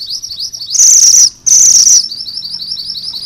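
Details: Rolling ngerol song of a Sunda bush warbler in full voice: rapid, high upslurred notes interrupted by two loud, harsh, buzzy bursts lasting about half a second each, then the quick rising series resumes.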